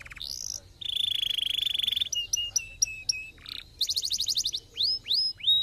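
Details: Canary song played to stimulate other canaries to sing: a long buzzy mid-pitched trill, then short repeated notes, a rapid high rattle and three rising whistled sweeps, loud and clear with no other sounds.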